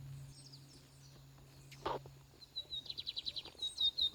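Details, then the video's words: Lined seedeater in a singing contest, called fiery; after a quiet start, a buzzy run of fast repeated high notes begins near the end, with a brief low thump midway. "bigodinho fogoso no torneiro"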